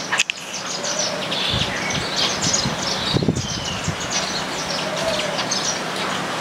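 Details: A flock of Baya Weavers eating grains together in an Indian house garden keeps up a busy, overlapping chatter of high, wheezy chirps and buzzy notes, with a few low thumps of wind or handling.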